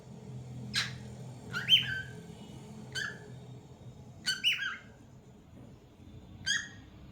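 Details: Cockatiel singing: five brief, separate chirped whistles spaced irregularly over several seconds, some with a quick downward slur, over a steady low room hum.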